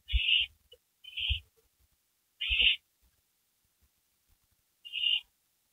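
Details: Owls on a porch just after midnight on May 3, 2012: four harsh, hissing screeches, each about a third of a second, spaced irregularly, with soft low thumps beneath them.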